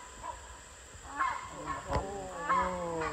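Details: Rhinoceros hornbill on Borneo, calling loudly and raucously as it sets off and flies away; harsh, harmonic honking calls in short bursts, strongest near the start of the second and third seconds, with a sharp click between them.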